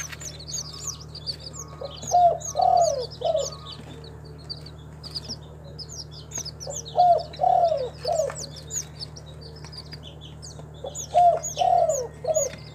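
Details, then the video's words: Spotted dove, a local tekukur kept in Timika, Papua, repeats a gentle three-note coo three times at roughly five-second gaps, the drawn middle note slurring down, amid constant high-pitched twittering of other caged birds. "SUARA BURUNG TEKUKUR LOKAL, THE SOUND OF SPILOPELIA CHINENSIS"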